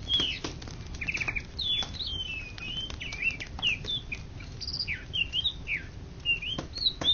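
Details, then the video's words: Greater green leafbird, national contest winner in Indonesia for 2013–2014, giving an energetic varied song of warbled whistles, curling slurs and scattered clicks over faint background hiss. "Cucak Ijo Juara satu se Indonesia Raya 2013 2014"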